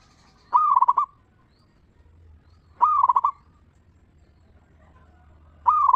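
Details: Zebra dove, a local bird, singing the ngeristal lure song used to stimulate other zebra doves to sing: three loud, rapid, stuttering coo bursts about two and a half seconds apart over a faint low hum.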